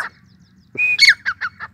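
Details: Sindhi teetar, the grey francolin, gives a strident call: a sustained ringing note followed by a quick run of three harsh, descending syllables, over a low background hum.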